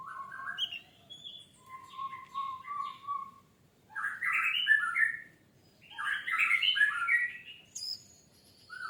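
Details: Orange-headed thrush lure song to trigger singing: short whistled phrases and a level warbled line, followed by two loud, rich, scratchy bursts of tumbling notes a couple of seconds apart.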